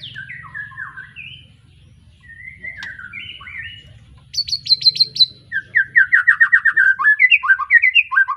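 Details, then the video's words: Freshly moulted young white-rumped shama of Arko Tangerang bloodline, Pemalang, Indonesia: varied whistled phrases, a brief pause, then high sharp notes and a fast rolling trill of repeated syllables, lively and loud. "Kicau Murai batu lepas trotol,suaranya heboh"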